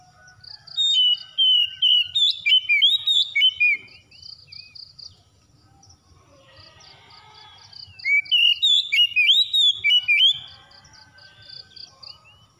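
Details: Oriental magpie-robin song played as therapy to get a silent bird singing: two bursts of rapid, varied whistles and chirps, sweeping and warbling, with short repeated notes between them and a quiet low hum in between.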